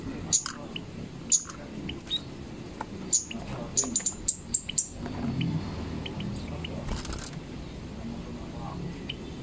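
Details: Cici padi (zitting cisticola) song of thin, high, clipped 'zit' notes repeated roughly once a second, clustered in a burst midway, over murmured voices and faint chirps from other birds.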